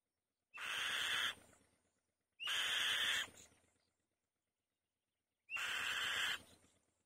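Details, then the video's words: On its nest, a female white-tailed kite gives three loud, grating, breathy screeches, each close to a second long, separated by uneven pauses of one to two seconds. No other sounds intrude. "White-Tailed Kite | The Female Bird Makes a Loud Noise On The Nest"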